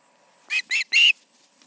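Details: Osprey at the Charlo nest on an August 2019 evening, two birds present; three short, harsh whistled notes in quick succession, the last one longest and strongest.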